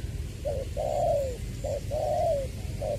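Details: Decoy spotted dove of Trà Vinh, Long Đức, Vietnam, recorded February 2021, voice style "Chuẩn Giọng Tiểu"; clean alternating pattern of a brief soft note then a long, smooth, gently falling coo, twice, ending on another short note.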